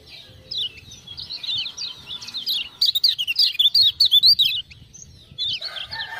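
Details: Lemon-bellied white-eye from Lombok giving vigorous tutor-style song prompted by ciak-ciak sounds, building from soft warbles into a loud rapid string of high chirps, then a brief pause and renewed notes.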